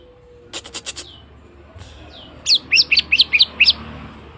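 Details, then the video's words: Greater green leafbird, kept as a fighter bird to provoke others: a few sharp clicks first, then a fast run of seven high looping whistled notes. "pancingan cucak ijo fighter"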